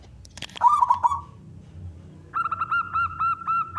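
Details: Frequently singing local zebra dove with a loud voice, played to coax other doves to sing: a brief wavering coo, a pause, then a steady run of evenly pulsed cooing notes.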